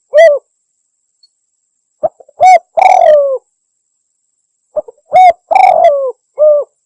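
A spotted dove gives two phrases of its low, mellow cooing, each a short coo, a pause, then a drawn-out falling croon and a final coo.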